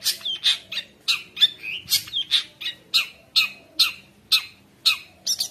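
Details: Long-tailed shrike singing energetically, a tutoring song for young shrikes and a lure to rouse other shrikes. Loud, harsh, scratchy notes repeat about twice a second, each ending in a short whistled slur, over a faint low hum.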